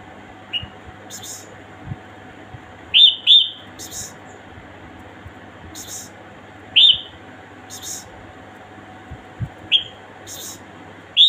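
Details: A female red-whiskered bulbul calls with short, bright chirped notes, singly or in quick pairs, every few seconds, over a faint steady hum and brief high hissy bursts.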